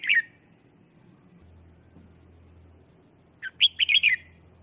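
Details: Red-whiskered bulbul used as a lure to call wild bulbuls: an opening clipped note, a pause with a faint low hum, then a lively phrase of five or six quick, fluty, chattering notes.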